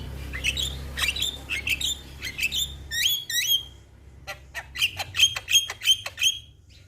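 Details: Champion Javan myna in nonstop song: a run of sharp chirps with whistled upslurs, then a pause and a rapid series of clipped high notes, roughly three per second.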